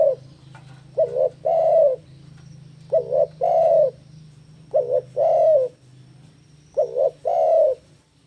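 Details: Spotted dove singing on a recording meant to lure and train doves. A brief coo opens, then four phrases follow, each a short two-part wavering coo and a drawn-out mellow coo, with a low humming background.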